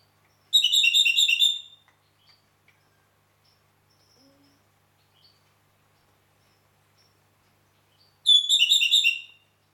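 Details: Red-rumped parakeet recorded in Heraklion, Crete: two bursts of rapid, high, harmonic chirps about a second long each, separated by several seconds of near silence with faint soft notes.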